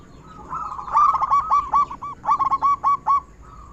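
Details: Local zebra dove with a big voice, a steady singer used to stimulate other doves to sing. A rapid series of staccato cooing notes comes in two runs, with a soft sustained coo trailing at the end.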